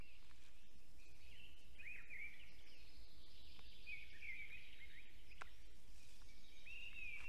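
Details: A male black stork in Estonia sings at 8:02 am on 10 April 2020 at its nest, holding a nesting branch in its beak after seeing someone above the nest: three short, wheezy, wavering whistled phrases a couple of seconds apart over a steady low rumble.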